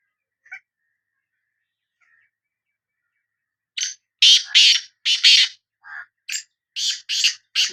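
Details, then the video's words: Sindhi black francolin: faint notes early on, then a loud run of harsh, rasping bursts, some doubled, with a lower nasal note in the middle of the sequence. "Kala Teetar Voice | Black Frankoline Voice کالا تیتر کی آواز"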